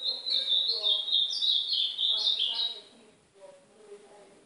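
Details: A captive ultramarine grosbeak (azulão do nordeste) sings a quick, high, sweet warbling phrase of slurred whistles lasting about three seconds, used to train and warm up another bird, then fades to quiet with faint background murmur.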